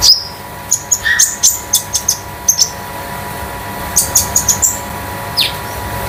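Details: Konin damer, a Scarlet-headed Flowerpecker kept at home, gives short bursts of very high, thin metallic chirps, clustered in groups of three to five with brief pauses between, over a low constant electrical hum.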